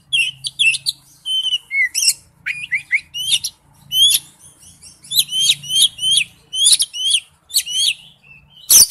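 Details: Oriental magpie-robin in wild-type forest-voice song: rich, fast-changing whistled phrases, then a long series of crisp, steeply slurred notes repeated in quick succession, closing with one sharp, harsh note.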